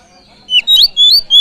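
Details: Oriental magpie-robin lure song (pancingan) meant to stir other birds into singing: a loud series of sharp, slurred whistles, each rising or falling between high notes, separated by short gaps.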